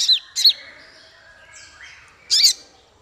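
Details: Male Ruby-cheeked Sunbird, known locally as konin, singing as a training model for songbirds: two sharp high chirps close together, then a faint thin whistle, then another loud chirped burst after a pause.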